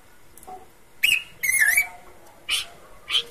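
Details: Horsfield's babbler giving its characteristic song: a short whistle, then a longer wavering, slurred whistled phrase, followed by two sharp chip notes.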